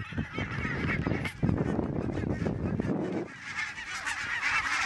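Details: A dense chorus of short, yapping barks from many Barnacle Geese, autumn migrants in Denmark in October, overlapping continuously with a low rumble beneath.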